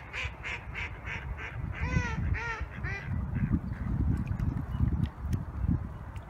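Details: A goose known for "barking" gives about seven short, harsh, barking honks in quick succession, followed by low rumbling noise like wind.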